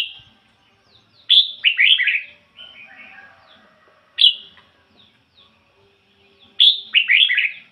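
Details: Red-whiskered bulbul used as a decoy, singing the 'ngoi bổi' style: three loud, jaunty phrases of sharp rising whistles followed by quick tumbling notes, about every two and a half seconds, with soft twitters between.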